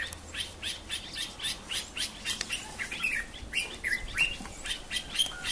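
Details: Bulbul evening song: bright, chirpy notes, about three or four a second, mostly high-pitched, with a few clearer whistled phrases near the end.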